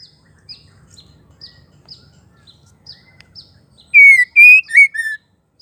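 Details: Female white-rumped shama calling to trigger male song: a run of soft, evenly spaced ticks, then four loud whistled notes, the third bending upward before a final level note.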